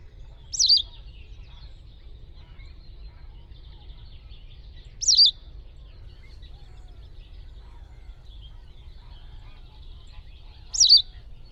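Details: Wild white wagtail (Motacilla alba) calling three times, each a short, sharp, high chirp spaced about four to six seconds apart, over constant low rumbling background noise.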